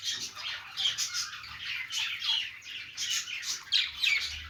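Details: Happy budgies at play trade harsh squawky chirps and quick descending warbled squeaks in short bursts roughly every second.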